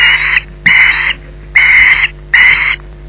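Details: Four long, harsh screeches, each about half a second, evenly spaced, from an osprey holding a fish on its nest at Loch Garten at 20:33. Low electrical hum in the background.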